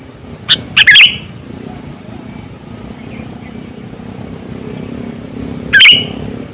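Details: Sooty-headed bulbul used as a decoy for luring birds, aged about 8 to 9 years, giving a few sharp, gurgled chirps, then a long gap and one more bubbly call, over a low hum.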